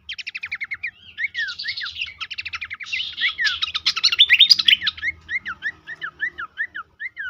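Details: Horsfield's babbler, called pelanduk semak, played as tutor and lure audio to make birds sing actively: evenly repeated downslurred whistles, a busy middle of buzzy chatter and fast chirps, then steady paired whistled notes.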